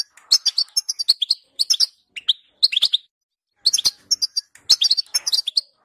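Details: Song of a European goldfinch, meant to make a goldfinch sing: bursts of sharp, bright chirps and trills separated by brief silences, growing livelier toward the end.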